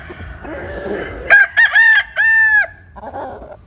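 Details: Rooster at dawn, chickens sunning in morning light; a crisp crow of short broken syllables ending in a long held note, softer clucks after.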